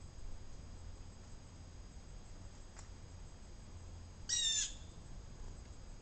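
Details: A Blue Jay gives one harsh, raspy scold, a brief nasal jeer near the end, over a low steady outdoor hum, while feeding with mourning doves on a sunny afternoon.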